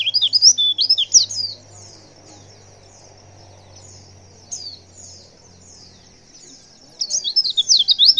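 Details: A female white-eye gives a lure call meant to make males respond. A burst of fast, high, twittering chirps opens the clip, then a long quiet gap broken by a single thin note, then another quick chattering burst. A faint low hum sits underneath.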